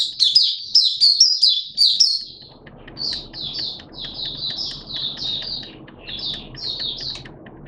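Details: Malaysian Oriental white-eye, caged, singing loud rapid high whistles for two seconds, then quieter repeated downslurred notes about once or twice a second against steady background noise.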